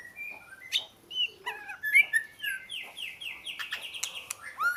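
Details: Oriental magpie-robin singing a mix of pure whistled notes and a rapid series of descending slurred phrases, with sharp clicks and a few harsher notes, moderately loud and varied.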